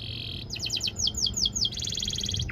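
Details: Brief canary song for training young canaries: a buzzy roll, a run of about eight descending whistled sweeps, then a fast pulsed trill, over steady low background hum.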